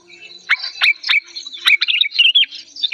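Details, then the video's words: Loud, clear agitated song of an old sooty-headed bulbul: sharp clicking notes spaced about a third of a second apart, ending in a quick twittering phrase. "suara amukan kutilang tua emosi lantang dan jernih"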